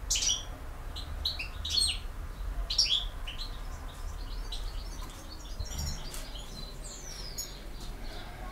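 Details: European goldfinch singing in the campero style: bright, clipped twittering notes in quick bursts over the first three seconds, then softer scattered chirps and a thin falling note, over steady low rumbling background noise.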